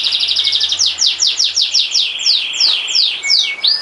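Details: Singing canary delivering a rapid rolling trill that shifts into a run of quick descending sweeping whistles repeated several times per second, ending in a lower steady trill and a rising slur; loud and clean.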